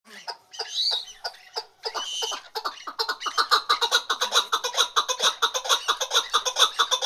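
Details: Female chukar partridge calling: a few scattered clucks and harsh notes open, then a fast run of loud, even, clucking chuk notes repeated about twice a second, building steadily to the end.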